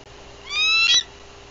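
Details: Bald eagle mother at a Tennessee nest in Bluff City, April 2023, calling on guard after arrival, filmed by livecam: a single shrill, thin, rising whistle ending in a brief chittering flourish, with quiet background.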